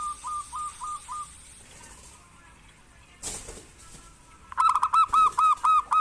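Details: Zebra dove, a local bird singing actively, used to prompt lazy doves to call: a brief series of short coo notes, then a quiet gap with a sharp noise, then a louder burst of rapid, evenly repeated coos.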